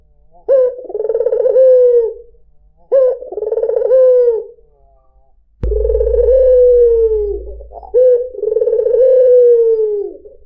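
A white Barbary dove gives low, soft, rolling coos in long drawn phrases about a second long, four in all, with one sharp click partway through.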